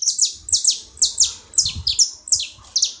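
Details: Loud, rapid saffron finch chirping at a feeding place: doubled, high, downslurred notes about every half second over a faint low rumble.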